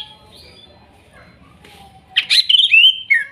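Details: Greater green leafbird, forest-caught birds from Kuningan, song used to restart a bird that has stopped singing; after two quiet seconds comes a brief burst of loud, sharp whistled notes sliding downward, ending in a falling whistle.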